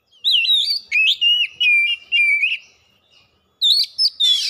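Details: Kacer, the oriental magpie-robin, in a fast lure song meant to trigger a full mimicry display. It gives a run of looping whistles that slide down into a sustained warbling trill. A pause follows, then sharp high chips and a harsh burst.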